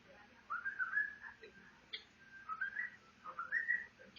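A cockatiel whistles clear, rising phrases in a loose repeated tune.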